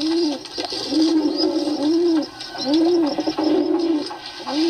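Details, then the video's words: Pigeons cooing in a small indoor space, low arched coos repeated roughly every second in a steady series, with faint background hiss and some higher chirping noise above. "Pigeon sound"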